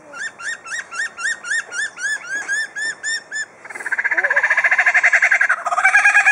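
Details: Captive superb lyrebird at Adelaide Zoo, famed mimic, sings about a dozen ringing arched whistles, roughly four a second, then a fast harsh mechanical chatter; its repertoire includes drill, saw, hammer, kookaburra, magpies, whipbird, magpie-lark and lorikeet flock.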